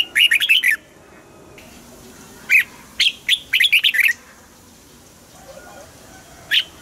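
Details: Red-whiskered bulbul kept in a cage, singing to rouse other caged birds: rapid bursts of clear warbled notes, a fast jumble at the start, further phrases after two and three seconds, then a single note near the end.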